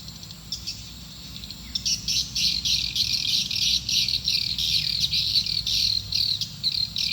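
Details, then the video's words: Swiftlet call played to draw swiftlets to a nesting building. A quiet opening with a few scattered chirps gives way after about two seconds to continuous, busy, high-pitched chattering that pulses rapidly until the end. "Suara panggill burung walaet"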